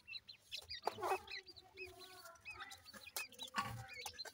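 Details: Young grey francolins calling for their mother, a brood of chicks giving rapid, high, arched peeps in a busy overlapping chorus, with a few lower drawn-out notes and occasional sharp thumps.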